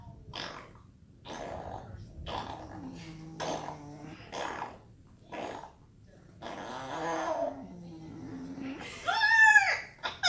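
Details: African grey parrot making rude noises, burping and farting: a series of short, rough, low bursts separated by pauses, then a louder, harsher squawk near the end.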